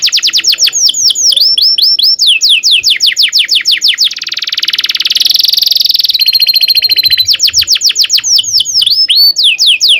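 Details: Long rolling canary song meant to tutor young canaries: bursts of quick falling notes, a loud dense buzzy roll of about two seconds, a lower trill, then more rapid chirping phrases.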